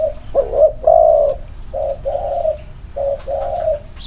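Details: A pair of spotted doves placed together to compare cooing; a short trilled note, then long steady hollow coos and softer replies, with quiet background.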